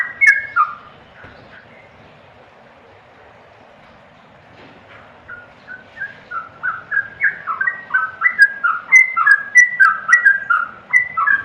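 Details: A yellow-vented bulbul gives a few whistles, then falls quiet for several seconds before resuming. The song builds into a rapid, loudening run of bubbly falling notes.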